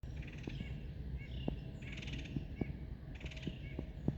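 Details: A Red-headed Woodpecker gives three harsh, raspy calls about every one and a half seconds, with scattered sharp clicks over low rumble; Algonkian Regional Park, Virginia, 11/25, calls typical of colder months.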